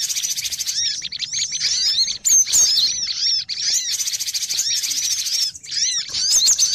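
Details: Crowded cinereous tit lure recording for bird trapping: repeated arched chirps and sharp high notes amid constant overlapping twitter, with a few short pauses between louder bursts.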